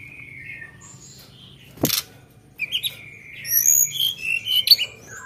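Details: Sunda bush warbler singing sharp fill-in phrases: a soft falling whistle, a single loud click, then a building stream of high whistles and chattering notes.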